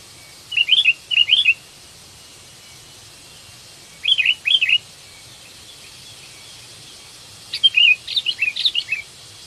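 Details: Mate-seeking calls of a sooty-headed bulbul, kutilang ranting, used to lure birds: three spaced bouts of bright whistled phrases, the first a doubled phrase, the last longer and more jumbled.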